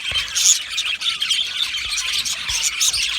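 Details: Budgie colony housed in an aviary: a thick stream of high chirps, squeaks and warbled chatter from many birds together.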